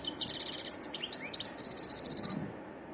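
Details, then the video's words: Wild European goldfinch: a rush of fast high tinkling notes, a few sliding chips, then a clear rapid trill of ringing repeated notes that fades after about two and a half seconds. "تغريد حسون متنوع"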